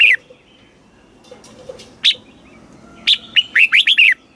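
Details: Red-whiskered bulbul, a Thai cage bird, in southern master-style song for rousing and teaching birds: two isolated sharp whistled notes, then a quick run of five liquid, slurred, warbling notes.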